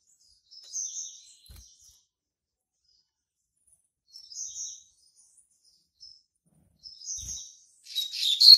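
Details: A young male Double-collared Seedeater hatched in March 2019, marking territory, gives short high whistled notes every few seconds, ending with the start of a loud chattering burst.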